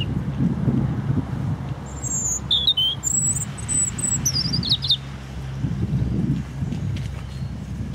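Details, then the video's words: European robin in Hope Park, Keswick, Cumbria, giving a brief burst of high, thin whistled and trilled notes early on, then falling silent while a low rumble of distant noise continues. "robin singing"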